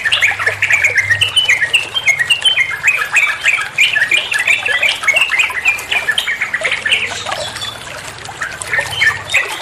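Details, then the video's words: Masteran of the trucukan, or sooty-headed bulbul, singing in rapid ropel manner for other songbirds to learn: energetic stream of squeaky, chirping notes, densely stacked and repeated almost without gaps. "Masteran trucuan muantaaap, (burung trucuan anda pasti nyaut)"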